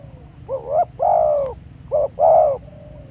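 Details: Spotted dove recorded live in the field at Pha Sing, used as decoy calling: loud, clear low coos, a short two-part phrase then a longer hoarse drawn-out note, repeated twice, over a faint low rumble.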